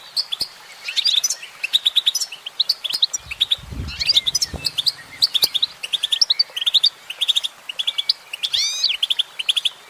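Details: Singing female goldfinch giving a lively, chattering series of high twittered notes in rhythmic bursts, a brief low rumble partway through and a quick upward sweep near the end.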